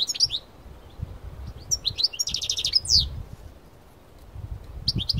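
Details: European goldfinch, parva type, outdoors in nature: scattered high, liquid chirps and a brief buzzy trill, then a pause and more chirps, over faint low background rumble.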